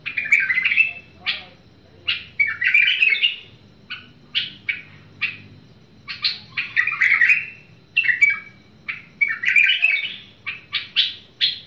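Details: Bulbul singing in short bursts of bright, chattering, warbled phrases, each about a second long, separated by brief pauses and single sharp notes. There is a faint low hum underneath and no other clear sounds.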